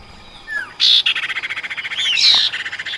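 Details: Female common iora calling a male: a falling whistle, then a loud buzzy burst into a rapid rattle, and a curving whistled slur leading into another harsh chattering burst.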